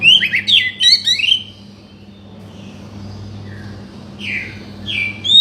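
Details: Oriental magpie-robin singing, played to make a silent bird start singing: a loud burst of sharp, jumbled whistles, a long quiet gap, then a few slurred notes returning, with a low background hum.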